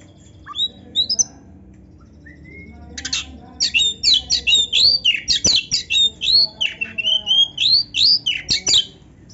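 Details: Oriental magpie-robin in vigorous, ornate filled song (gacor, full isian, narung) with tail-flaring display: scattered whistles give way to a fast, steady stream of high, sharply varied whistled phrases and warbles, about one note every half second.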